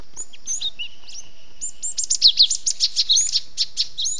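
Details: Cinereous tit (Parus cinereus) distress call, as of a trapped bird, used as a lure: high, harsh chittering notes about five per second, a thin steady whistle under the opening and faint chips around it.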